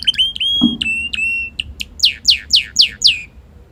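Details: Hand-tame red canary singing cheerfully outdoors in a garden. A short steady trill and a few clipped high notes give way to a series of sharp, descending whistled sweeps repeated about four times a second. One brief low knock.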